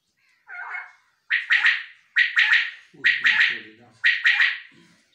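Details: Male common quail, a kept bird called bulara locally, giving repeated three-note calls: sharp buzzy bursts, each a quick triple pulse, about one per second. One soft lower note opens the sequence, and a faint low murmur runs beneath the middle calls.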